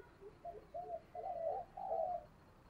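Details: Spotted dove serving as a lure bird, in the deep-voiced local style, utters a soft series of four or five low hollow coos over steady background noise.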